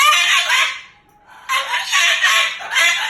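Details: Angry pet Moluccan cockatoo talking and cursing, with loud grating squawks and speech-like chatter in three bursts, the second and third close together.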